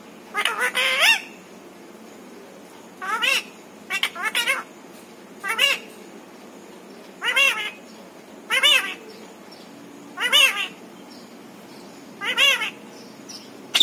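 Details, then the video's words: Talking pet parrot whose repertoire includes papa, mummy and Radhe Radhe; a long series of short, buzzy spoken syllables and phrases repeated roughly every one to two seconds in a quiet indoor setting. "मिट्ठू की प्यारी बातें"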